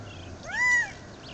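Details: Quail calling from a tree perch at Dead Horse Ranch State Park in Cottonwood, Arizona, May 2, 2010: a single loud, clear, nasal note that swells up and falls away, with quiet surroundings.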